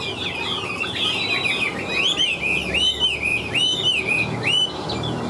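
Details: Wild-caught Chinese hwamei, described as singing loudly with a strong, full voice: a run of clear whistled, slurred phrases. The notes sweep up and down and loop rapidly one after another over a faint background hiss.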